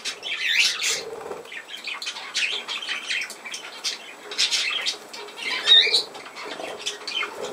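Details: Pet budgerigars keep up busy, raspy warbling broken by quick chirps and squawky notes, with a soft whirr of wingbeats now and then.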